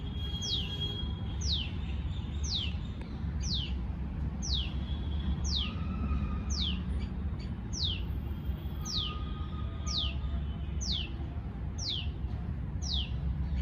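A tailorbird repeats a sharp, high, downslurred note about once a second, fourteen times in steady series, over a constant low rumble of background noise.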